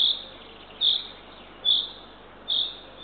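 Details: Eurasian eagle-owl chick, the third owlet, fed by its mother at a nest in Northern Estonia at 6:21 am on 3 June 2023. High, rasping hiss-like notes repeat regularly, just under once a second, over a steady background hiss.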